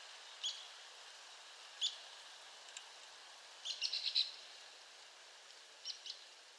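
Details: Sharp, high, well-spaced single notes from an Arizona woodpecker, followed by a short cluster of four quick notes and a closing pair, all faint against a hissy background.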